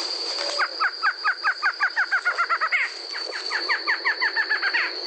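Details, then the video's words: Barred Antshrike song in Brazil, a long series of clipped nasal notes that speeds up, pauses briefly, then starts again in a second series. A high cricket whine holds steady behind it. "Canto da CHOCA-BARRADA"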